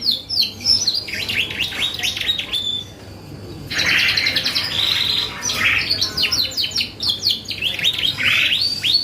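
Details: Canary song used as a lure to provoke responses from other birds: rapid high trills and descending whistled sweeps, with dense buzzy rolls and varied phrases, a short pause near three seconds, steady low hum underneath.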